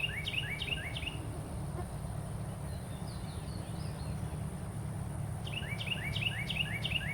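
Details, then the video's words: A Carolina wren gives quick rolling series of repeated downslurred two-part phrases, at the start and again near the end. A faint thin chatter from another bird sits between them, over constant low-pitched background hum. "Carolina Wren Calling"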